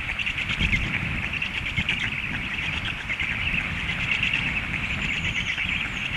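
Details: Begging calls of hungry young storks left by a departing parent: an unbroken, buzzy, high chatter, fast pulsed, with steady wind noise underneath.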